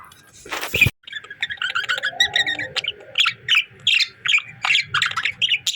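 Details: Pet budgerigars give a steady run of short, sharp chirps and clicks, repeated several times a second, after a brief loud burst near the start; a faint low hum sits under the calls.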